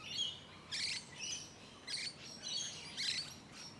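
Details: Shrill, buzzy screeches from musk lorikeets close by in Hunters Hill, a leafy Sydney suburb in Australia, late spring 2020. The harsh bursts repeat roughly every half second to second, six in under four seconds.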